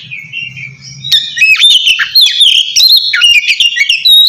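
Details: Oriental magpie-robin calling a rival with ngeplong song. A soft, low-pitched hum and a thin whistle open it, then a loud burst of quick varied whistles, slurs and chips runs to the end.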